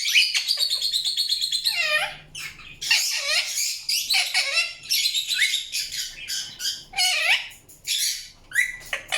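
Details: Indian ringneck parakeet chirping in long raspy bouts, with dense scratchy chatter broken by downward-dipping whistled notes and brief gaps.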